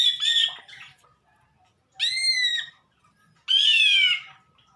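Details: Greater green leafbird giving strange calls: harsh, nasal squawks with bright stacked harmonics, three bursts roughly a second and a half apart, each falling slightly in pitch, in quiet surroundings.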